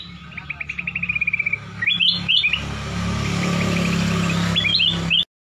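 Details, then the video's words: Black-crested bulbul with a somewhat monotonous yet melodious, crystal-clear voice: a quick descending run of bright notes, then short clear whistled phrases rising and falling, over a steady low hum. "cucak kuning atau kutilang emas, burung cantik, bersuara kristal"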